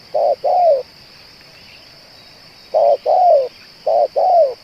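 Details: Spotted dove, said to coo for two hours and fit to serve as a decoy: three pairs of low hollow coos, a brief note then a drawn-out descending one, with a long pause after the first pair and a constant high background hum.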